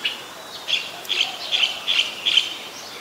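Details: A Streak-eared Bulbul calls in Ubon Ratchathani, Thailand, on 20 January 2021: five clear, slightly buzzy notes at a medium-high pitch, spaced about half a second apart, over quiet surroundings.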